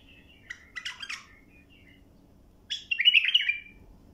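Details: Bulbul song used for tutoring young birds: a short burst of clear whistled notes near the start, a pause, then a louder rolling, warbling phrase. A faint steady hum runs underneath.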